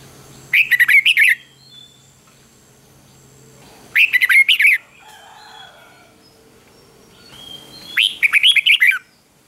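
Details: Red-whiskered bulbul song used to provoke singing: three loud, buzzy-edged warbled bursts about three to four seconds apart, each under a second long, over a quiet background with a faint low hum.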